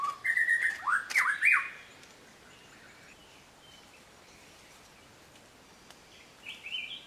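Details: Eared pitta calling: a few loud whistled notes with swooping, slurred pitch in the first two seconds, then near quiet with faint distant whistles.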